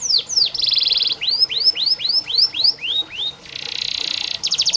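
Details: Canary song as therapy for canaries reluctant to sing: high downward-curving whistles repeated about four per second, broken by dense buzzy rattling rolls.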